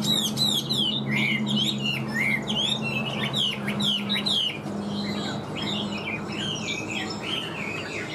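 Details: Cage-kept Chinese hwamei delivering loud, rich whistled song: rapid looping notes and sharp upslurs repeated in quick bursts, shifting to slower, lower warbled phrases in the second half over a steady low hum.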